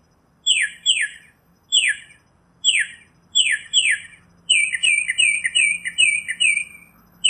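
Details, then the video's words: Northern mockingbird singing a series of sharp downslurred chirps repeated in pairs, then a faster run of buzzy, rippling notes toward the end; quiet background otherwise. "Northern Mockingbird Song, Sound, Voice, Call, Melody - Sinsonte Canto - Mimus Polyglottos"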